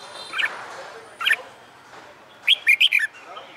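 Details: Trained caged red-whiskered bulbul practicing fighting song gives two soft chirps, then a crisp run of four rolling whistled notes dropping in pitch at the close, over light background hiss.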